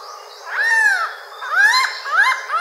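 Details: Malabar grey hornbill at Goncoi, Aldona, Goa, India, on 28 January 2013, giving three loud, harsh, rising-then-falling squealing calls, each about half a second long.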